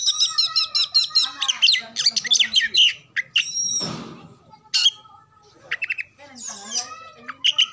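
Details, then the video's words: Oriental magpie-robin lure song with imitations of other birds: quick repeated chips, rich whistled phrases and harsh notes, a brief noisy burst mid-clip, and a faint low hum. "pancingan Kacer terbaru 2022 ampuh langsung nyaut gacor buka ekor"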